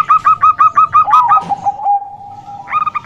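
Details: Bangkok-type zebra dove, a female calling to attract males: six rapid staccato coo notes, then a long sustained lower tone, and a fresh burst of clipped notes at the end.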